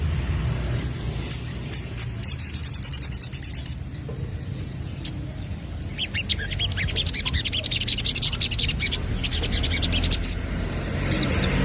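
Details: Sunbird lure recording meant to draw young birds into answering: high, thin chips and fast buzzy trills, with two long rapid trill bursts between quieter single notes over low background hum.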